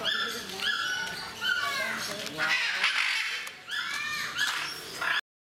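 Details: Blue-and-yellow macaw at Mysore Zoo producing harsh, voice-like syllables in short bursts, imitating human speech, with a brief pause midway and some background chatter.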